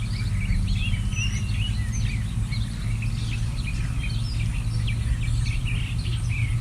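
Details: Several birds in forest and neighbourhood on a warm, sunny summer day chirp and twitter in quick, high, overlapping notes, under a steady deep rumble of background noise.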